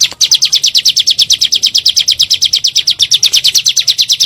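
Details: Bar-winged prinia (ciblek gunung) calling in a lure recording meant to provoke birds: a steady, rapid train of high, sharp descending notes, about three per second, with no other sounds.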